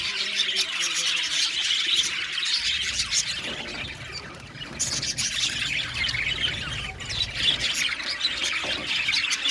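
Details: Aviary colony of Australian budgies chirping and singing: many overlapping shrill chirps and warbles form constant high chatter, briefly thinning near the middle before swelling again.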